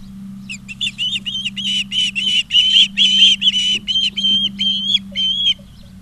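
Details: Nest-cam recording of Ospreys at Charlo, Montana, 20 August 2023 at 16:04; a long insistent series of bright piercing whistles, slightly rising, about twelve notes over five seconds, a soft constant hum in the background.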